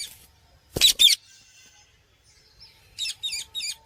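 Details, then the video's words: Parrot letting out a loud double screech, followed after a pause by a quick run of four scratchy, buzzy chirps. "Parrot Chirping Sounds | Natural Parrot Sounds | Parrot Calling Sounds"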